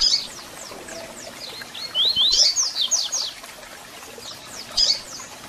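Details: Song and calls of the double-collared seedeater, meant to excite and warm up a captive bird: thin high descending notes, then a loud rapid twittering phrase of zigzag whistles, ending in a sharp chirp, with steady low background noise.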